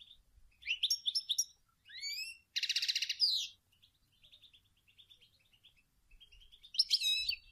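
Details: Female European goldfinch calling and singing to prompt males into song: quick liquid trills, a rising note, then a dense buzzy rattle around three seconds, soft twittering, and a final bright jingle.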